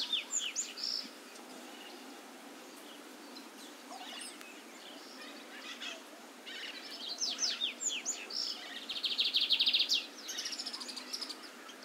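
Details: Wild lined seedeater feeding on brachiaria grass seeds and singing persistently: rapid series of sharp chirps and slurred notes, then a dense buzzy burst, with more chirps after a pause and steady background noise.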